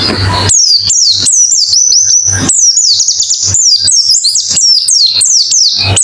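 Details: Therapy recording of white-eye song, meant to get a stalled bird opening its beak and singing: bright, fast chains of high, slurred whistles and chirps tumbling one after another without pause.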